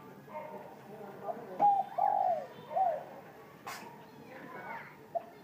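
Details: Spotted dove cooing at noon, its voice warm: a few low, soft, mellow coo notes close together, followed by a sharp click and faint background noise.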